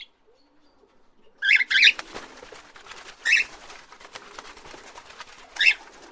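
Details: Parrots making sharp squawking calls, a quick pair followed by two more spaced out, over steady rustling and scratching.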